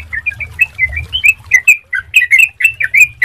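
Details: Sooty-headed bulbul lure song to set other bulbuls singing, flowing whistled notes with bright upslurs and downslurs in quick succession, softer at the start and stronger toward the end, faint low rumble beneath.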